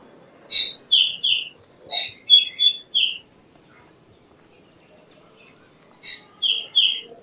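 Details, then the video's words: Black drongo delivering two quick phrases, a buzzy note, then several crisp falling whistles, followed by a quiet gap and a third shorter phrase. "Black Drongo Song ! Black Drongo Call ! Black Drongo Sound ! Black Drongo Vocals ! Voice ! Singing"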